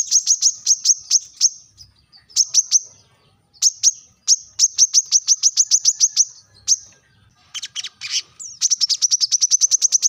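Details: Sharp rival-calling of a brown-throated sunbird: bursts of piercing high chirps in quick runs separated by short gaps, with a harsher scratchy rattle near the end before the fast chirping resumes.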